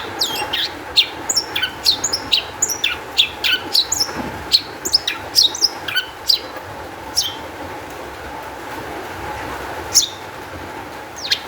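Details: Highly energetic long-tailed shrike song serving as a lure for other shrikes; a dense rapid series of sharp high notes for about six seconds, then sparse single whistles with quiet gaps.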